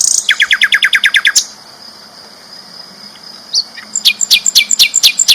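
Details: Loud, clear flycatcher song from a champion bird used for tutoring: a fast run of about twelve descending chirps, a quieter pause with a steady high hum, then another rapid series of sharp notes.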